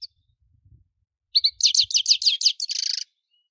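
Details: Dense, fast goldfinch twittering: a run of sharp, sweet notes accelerating into a buzzy, slightly harsh trill before stopping abruptly, with faint low background knocks at the start.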